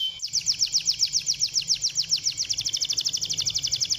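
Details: Canary song for prompting canaries to sing: a short whistle, then a long regular high trill of rapid pulsed notes that quickens toward the end.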